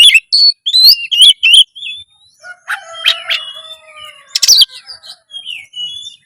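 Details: Oriental magpie-robin in loud, lively song to raise breeding drive and fight mode. Quick, twisting chirps open it, then softer, longer whistled notes and drawn-out tones follow. A sharp, noisy burst comes near the end.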